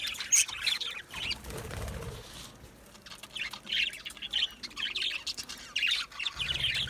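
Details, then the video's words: Budgerigars in an aviary giving scattered high chirps and warbles in short bursts, with a quieter gap in the middle and soft rustling, possibly wing movement. "Budgie chirping sounds"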